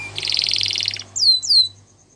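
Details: Gloster canary singing in a training recording: a short buzzy rolling trill, then two high descending swept whistles.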